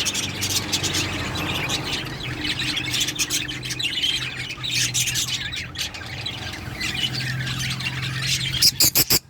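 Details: Female lovebird lacking an eye ring gives sharp, shrill squawks and chatter steadily throughout over a low droning hum, closing with a few loud clicks or knocks.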